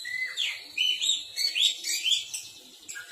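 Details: Oriental magpie-robin (kacer) song meant to make other magpie-robins answer: a continuous run of rich, looping whistled notes that rise and fall, about two per second, sweet and varied.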